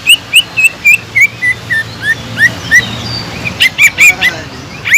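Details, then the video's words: Cucak ijo (green leafbird) lure song to raise the drive of listless birds: rhythmic rising whistles repeated roughly every third of a second, fading briefly, then returning with sharper high chirps. "PANCINGAN CUCAK IJO GACOR INI SANGAT EFEKTIF BUAT CUCAK IJO KURANG EMOSI"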